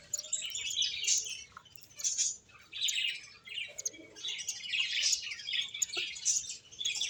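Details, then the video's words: Finches at play chirp in busy overlapping bursts, high twittering notes rising and falling in loudness with short quiet gaps between clusters. "Cute Birds Chirping Sounds | Beautiful Finches Playing"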